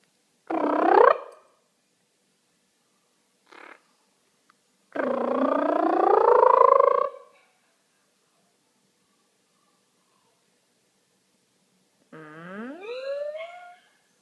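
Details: Pet monk parakeet (Quaker parrot) making noises while eating cereal: nasal, harmonically rich calls that bend up and down in pitch.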